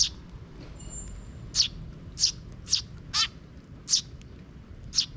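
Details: Park sparrows, 12 June 2023, the chick arriving after its parent checks the area; six spaced high chirps, one with a grating descending buzz, faint thin whistle early.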